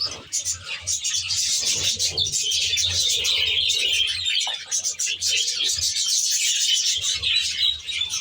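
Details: An aviary flock of budgerigars chattering nonstop in high squeaky warbles, with a short lull near four and a half seconds and low cooing pulses beneath.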